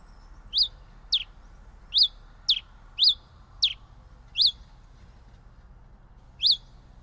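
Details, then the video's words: Pileated finch song: a series of eight crisp high chirps with sharp downward sweeps, roughly every half second, then a pause before a final note; soft background hiss. "Canto del Granero Cabecita de Fósforo"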